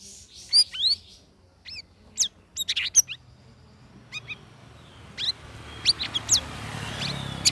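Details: Caged sooty-headed bulbul after its third week of group training, delivering the ngeriwik chattering song: dense bursts of sharp rising chirps and whistles, a short lull, then more high chirps over faint rustling.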